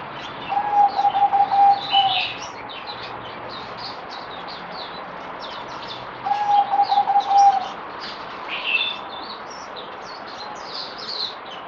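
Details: Merbok, or zebra dove, a kept bird on day four of deworming, 17 April 2020, repeating a stuttered, bubbling series of coos twice about five seconds apart, amid many brief high chirps from other birds.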